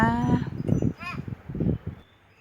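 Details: Pet common hill myna (Gracula religiosa), recorded secretly from behind on 4 June 2020 near a road, calling for its owner as it does all day: thin whistle, then a few hoarse, throaty speech-like syllables over two seconds.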